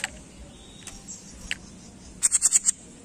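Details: Jenggot on a masteran training recording, ending with five sharp, very high pulses in quick succession after a few scattered soft clicks and chirps.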